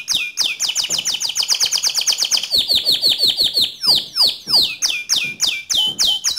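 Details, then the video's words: Canary song in the rolling 'ngerol' and 'nembak' style, played to provoke another canary into singing: a fast, high buzzy trill for two seconds, then repeated sharp downward-swept whistles, roughly three per second. "Pancing Emosi Kenari Anda Agar Cepat Ngerol Nembak Seperti Kicau Kenari Ini"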